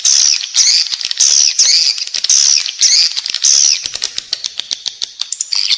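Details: Edible-nest swiftlet lure call for playing inside a building to attract swiftlets: buzzy, high chirping bursts repeated about twice a second, then rapid sharp clicks and short ticks over the final two seconds.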